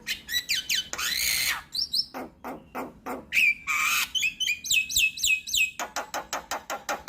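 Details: Javan myna singing, used as a lure and tutor for all starling kinds: a busy mix of high squeaky whistles, a drawn-out rasp, and rapid clipped chattering notes.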